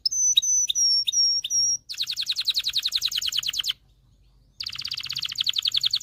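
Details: Canary in excited song, used to train young males and bring females into breeding condition: five ringing whistled notes, then rapid buzzy trills broken by a short pause.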